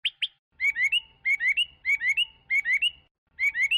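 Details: Chinese hwamei singing loudly: two sharp upslurred whistles, then a bright three-note rising phrase repeated in quick bursts with short gaps, over a faint low hum.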